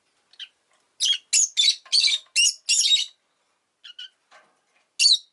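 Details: Rapid, rasping chirps from a pet rosy-faced lovebird, six loud notes in quick succession over about two seconds, then soft faint calls and one last shrill chirp.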